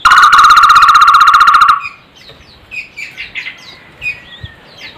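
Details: A barbet opens with a nearly two-second burst of rapid, evenly pulsed buzzing, strange yet melodious, then falls silent while thin high chirps of other birds continue in the background.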